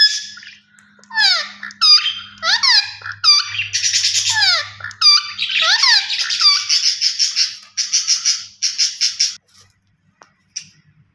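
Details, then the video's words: Rose-ringed parakeet calling steadily: a long series of harsh, downward-slurred shrieks that shifts into fast, buzzy chatter before a quiet end with one last short note. "Gareen Ringneck Parrot Natural Sounds Vice"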